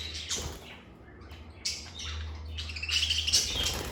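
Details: Lovebirds kept as pets in a calm indoor setting, giving bursts of sharp high chirps and squeaky calls separated by quieter gaps, with a steady low hum underneath.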